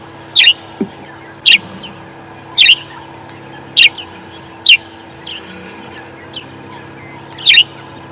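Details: A grey-headed sparrow hidden unseen in a deep thicket gives sharp, high chirps, one roughly every second at an uneven pace, over a low steady engine hum; it calls every morning among the first dawn calls, Sabi Sand, South Africa, 28 April 2016.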